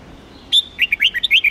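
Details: Bulbul of the Hue type, a red-whiskered bulbul being trained for song contests: a clear high whistle, a brief pause, then rapid bouncing whistled notes that rise and dip, with a faint hiss behind.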